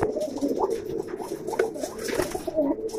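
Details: Mookee pigeons, part of a collection in red, black, yellow and silver, give clear repeated low coos with small upward and downward bends, fairly close and loud.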